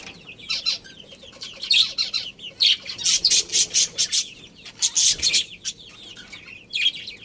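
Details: Budgerigars of a breeding pair chatter in quick high bursts, bright scratchy chirps clustered in runs of several, pausing briefly between runs.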